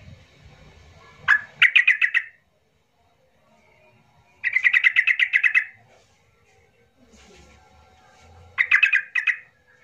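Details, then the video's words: Yellow-vented bulbul (trucuk) giving emotional trucukan notes to provoke silent birds to sing: rapid bubbly trills of about ten quick notes, three bursts separated by pauses of a few seconds. "trucukmu yg Diam Langsung ikut Gacor Buka suara dg pancingan trucukan emosi ini"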